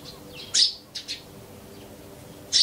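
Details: A wild Eurasian tree sparrow in Japan near human dwellings calls in short bursts: a loud rasping chirp, two quick softer notes, then another loud chirp at the end, all brief and harsh over quiet surroundings.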